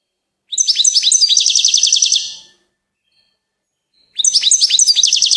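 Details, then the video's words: Goldfinch singing two bursts of rapid, liquid twittering trills with bright high notes and short slurred chirps, separated by about one and a half seconds of silence. "Gold finch TOP SONG of the day"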